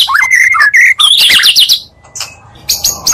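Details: Magpie-robin song used to stir other magpie-robins: clear whistled phrases and a harsh, buzzy scratchy burst, a brief lull, then more high notes.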